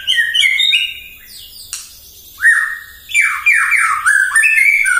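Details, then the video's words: Morning lure song of a White-rumped shama, meant to rile up other shamas: rich whistles and slurred descending phrases, a quiet gap, then a fast run of bright, falling, rolling notes. "PAGI-PAGI MURAI AUTO EMOSI MENDENGAR PANCINGAN INI❗ GACOR FULL"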